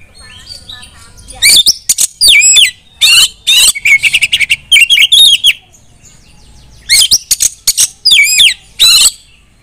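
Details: Female Oriental magpie-robin, kept bird, singing to draw other magpie-robins into loud song: clusters of sharp, high, rapidly rising and falling whistles and chattering notes, broken by a short lull before a final loud burst.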